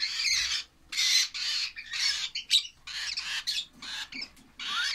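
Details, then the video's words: Young lovebirds give coarse, hissing squawks in uneven bursts, with a few sharper chirps and a thin rising note at the end. "love birds baby"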